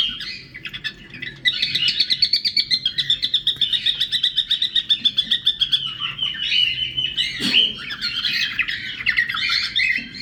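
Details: A cockatiel in an aviary gives a long run of bright, rapidly pulsed whistles and chirps as a mating call.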